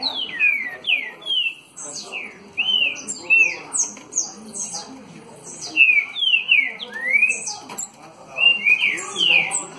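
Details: Green-winged saltator singing the song style called 60 boi (dançarino), delivered face-on: loud, rich whistled phrases of slurred falling and rising notes in short bursts with brief pauses, over faint background noise.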